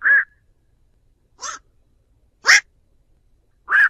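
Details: Flock call of a black-crowned night heron, a clean trapping lure: four short barking croaks roughly a second apart, rough and hoarse, the first and last rounder in tone.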